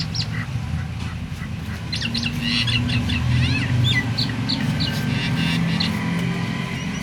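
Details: Myna whose calls are meant to push other mynas, even silent ones, into singing: faint scattered notes at first, then a dense burst of rapid chattering whistles midway, with a constant low droning hum underneath.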